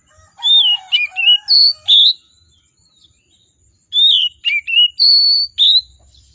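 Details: Kacer, or oriental magpie-robin, delivering full-fill lure song: two bursts of varied loud whistles and slurs with softer low tones, separated by about two seconds of quiet, over a steady high hiss.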